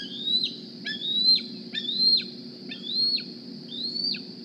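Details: Bald eaglet hatched April 2020 at Decorah, fitted with a GPS transmitter, begging at the nest in the morning: five thin whistled squees, each climbing slowly then snapping down, nearly one per second.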